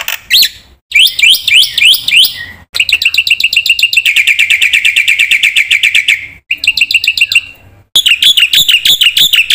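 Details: Black-winged myna in vigorous, content-rich song used as a lure and tutor: looping whistled phrases, a long rapid ringing trill, then quick buzzy twitters, each section separated by short pauses.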